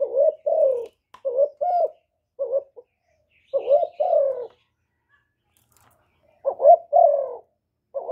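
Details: Spotted dove calling and cooing to stimulate males, recorded directly without background noise: groups of low husky coos broken by pauses, a longer gap of nearly two seconds midway before the phrases resume.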